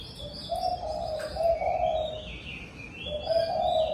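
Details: Spotted dove cooing in the evening at a home: low, soft hooting coos in drawn-out phrases, with a pause before a further phrase. Faint higher whistled notes from another bird sit in the background.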